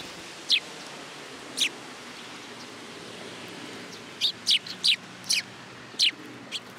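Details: Sparrows gathering to be fed at a Tenmangu shrine on 10 July 2022. Short, sharp, high chirps come singly and then in a quick cluster of five or six near the end, over a steady background hiss.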